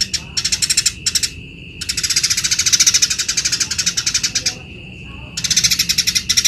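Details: Tree sparrow in full chirping song, recorded to tutor other birds: quick high chirp bursts, a long rapid run in the middle, a pause with a thin steady tone, then more fast chirps.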